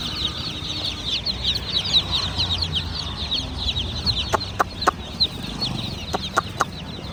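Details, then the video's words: Baby chicks of domestic chicken peeping in a dense, continuous chorus of short high cheeps from many birds at once, with a few sharp clicks or taps near the end and low background rumble. "Chimerical BABY Chicks are Doing Chirping Sounds! MURGI Ke Bacche!"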